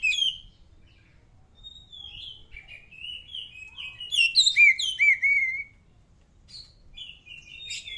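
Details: White-rumped shama song: varied clear whistled phrases, some sliding and some warbled, with a loud burst of rapid looping notes midway, then shorter whistles after a pause; faint low background hum.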